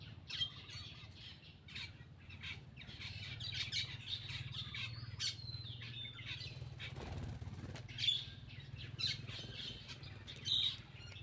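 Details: Eating black-winged myna produces ongoing scratchy chatter and whistled squeaks with loud sharp accents near the start, middle and end, plus a brief burst of broadband noise midway.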